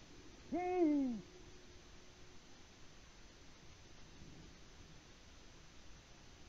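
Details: Single deep hoot from a male Eurasian eagle-owl calling for a mate on a Latvian live camera at 18:06 on 6 March 2019; no female answers, and after the falling note only several seconds of quiet background hiss follow.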